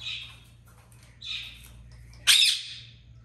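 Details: Talking African grey parrot calling out its own name: two hoarse, mid-pitched squawky utterances, then a loud, harsh, rasping screech near the end, over a steady low electrical hum.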